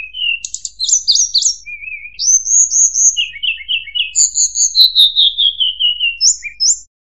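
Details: Clean lure song of the Sunda robin, the tledekan or sulingan gunung, used to teach white-rumped shamas: warbled high notes, a steady series of repeated chirps and a long descending trill, with no background sounds.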